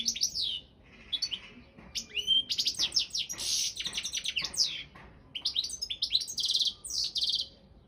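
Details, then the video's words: Competition song of a Balkan European goldfinch: a long stream of high twittering, sharp sliding chirps and buzzy notes in several dense bursts with brief gaps. "Pesma štiglića 002/23 World Championship in Goldfinch Song"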